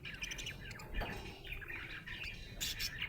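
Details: Cheerful budgerigar chatter of mixed scratchy notes and short whistles, with a few sharper bursts near the end and a noticeable low rumbling background.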